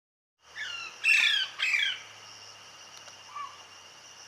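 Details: Mother parrot feeding her chick outdoors, heard as a series of harsh, raspy squawks, two loud bursts close together, then a faint short call, over a steady high-pitched background hiss.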